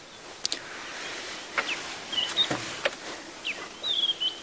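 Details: A White-browed Scrub Robin sings near a safari vehicle in the morning sunlight of a 21 July sunrise drive, giving short, high, clear whistled phrases, some sliding up or down, over steady outdoor hiss and a few sharp clicks.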